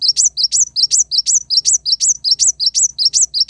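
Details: Kolibri wulung sunbird, sung for tutoring caged birds: a steady, loud string of identical high squeaky chirps, each with a quick upward flick, repeated about four times a second without pause.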